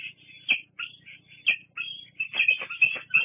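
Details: Bald eagle at the Fraser Point nest, 08-08-22, squeeing while birds shift positions. Drawn-out high squealing notes, some slurred and wavering, run together with brief sharp accents and light rustling.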